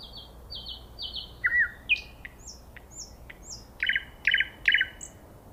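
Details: Common nightingale song: a sequence of high repeated whistled notes, then scattered clicks, then a run of three loud rich chuckling notes, with quiet background hiss.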